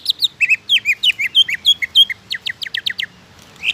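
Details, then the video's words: Greater green leafbird singing to trigger song in other leafbirds: rapid, bouncy sequence of sweeping whistled notes, about three per second, shifting into sharper, clipped chips near the end. "PANCINGAN CUCAK IJO AGAR CUCAK IJO LAIN CEPAT GACOR"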